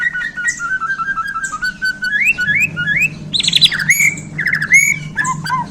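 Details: Murai Borneo, a Bornean white-rumped shama, sings just after being handled: whistled notes near one to two kilohertz, rising slurred phrases, then high sharp chips and fast varied bursts, over a low steady hum.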